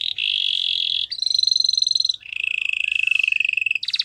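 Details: Belgian canary in full song, moving through long rapid rolls at steady pitch: a bright trill, a higher ringing roll, then a lower pulsed rattle, ending on a short dropping burst.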